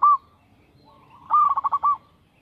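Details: Perkutut song from a local zebra dove, played as a lure for other doves: a brief coo, a soft rising hum, then a ringing note followed by a fast stuttering series of five mellow coos.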